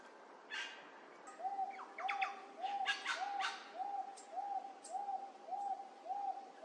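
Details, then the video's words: Wonga Pigeon recorded up close in late July 2024 at Wentworth Falls, Blue Mountains, NSW, Australia: a steady series of short, mid-pitched arched notes, about two per second, with brief chirps from other birds above. "Wonga Pigeon calling in Wentworth Falls Australia"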